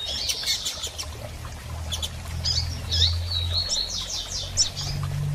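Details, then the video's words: Female double-collared seedeater calling, used to encourage a male to sing after moult: a few quick chips, then a row of short, slurred high whistled notes, over a low humming background. "Fêmea de Coleiro Chamando e Piando Muito - Ótimo Para Estimular Seu Coleiro a Abrir Canto Pós Muda!!"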